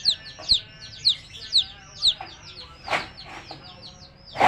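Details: Coloured baby chicks of the hen calling with loud, piercing downslurred peeps roughly every half second, mixed with a few dull thumps and rustling knocks.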